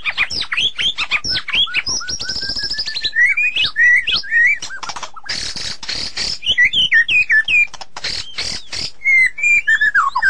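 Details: Continuous varied song of a white-rumped shama: long whistled glides, a sustained high trill, quick rising and falling phrases and clicking chips that change every second or so.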